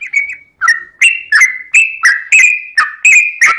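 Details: Sooty-headed bulbul singing in a long chattering sequence played to trigger replies from other bulbuls: steady bright whistled notes alternating between slightly higher and lower pitches, about two per second, each starting with a click.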